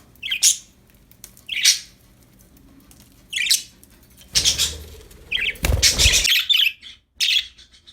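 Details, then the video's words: Several short, bright budgerigar chirps repeat roughly every second or so from happy pet birds, broken midway by a loud rustling, clattering burst, then more chirps follow. "Happy budgies chirping sound"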